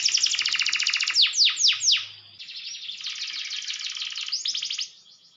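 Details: Canary song meant to provoke rival birds: a fast buzzy high rattle, a few loud downward-sweeping whistles, a brief pause, then a long dense trill ending in quick sweeps; faint low hum early on.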